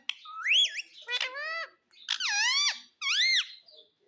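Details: Pet parrot repeating "mummy mummy": four bright, bending syllables that rise then drop, each under a second, separated by short silences in a quiet room.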